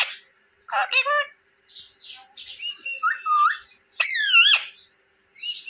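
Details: Pet parrot talking, said to speak Hindi words such as papa: harsh, nasal syllables with wavering bends, in short bursts with quiet gaps, ending in a loud rising-then-falling squawk.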